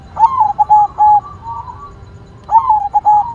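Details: White zebra dove cooing vigorously: two clear phrases about two seconds apart, each opening with a rolled, slightly rising note followed by short, evenly spaced ringing coos, quiet background.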